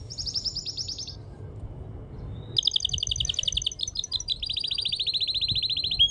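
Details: Male canary in full singing condition delivering high-pitched rapid trills: a one-second pulsed trill, a pause, then a long unbroken string of fast rolling trills and changing repeated notes, with faint low background noise.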